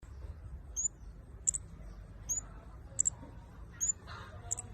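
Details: Flowerpecker described as a very active singer. It gives thin, very high, sharp ticking notes, often doubled, repeated roughly every three-quarters of a second over a steady low rumble.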